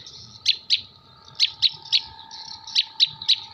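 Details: Long-tailed shrike from Jember voicing mimicked kuntilanak, sparrow and tengkek buto calls as loud, sharp, squeaky chirps in pairs and triplets, separated by brief quieter warbling, over a steady low hum.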